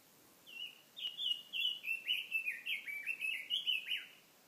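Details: Songbird singing a rapid phrase of about a dozen slurred, descending chirps at mid-high pitch, each note sliding downward, run together over roughly four seconds, over a soft steady background hiss.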